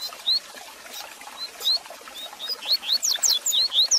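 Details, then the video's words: Double-collared seedeater song played to warm up a caged bird: scattered thin, high slurred whistles, quickening into a rapid run of sharp up- and down-slurred notes near the end over steady hiss and ticking clicks. "Canto Para Esquentar seu Coleiro Com Fibra!!!"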